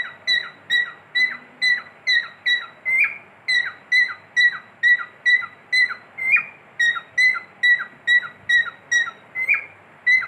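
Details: Cockatiel kept as a pet whistles a long, steady series of pure, bright notes, each ending in a quick falling slide, repeated roughly twice a second; occasional slightly higher rising notes break the run, in a quiet room.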